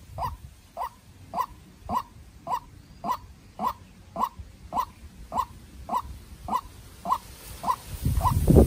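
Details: Captive-raised young decoy White-breasted waterhen facing a wild bird in a tense fight, giving short hollow hiccup-like notes repeated about every half second, steady and even, with rumbling low background noise.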